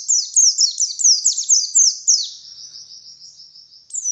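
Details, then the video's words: White-eye in energetic morning song, wild style, used to lure birds: rapid high descending notes for two seconds, then a softer, even trill, ending with one sharp high note. "Suara Burung Pleci Gacor || Pancingan Pleci Ngalas Pagi Hari"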